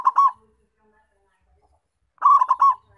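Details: Perkutut lokal, the local Indonesian zebra dove, calling vigorously as a lure to attract wild doves. A cooing phrase ends at the start, then after a pause comes another full phrase of three rolling, mellow notes.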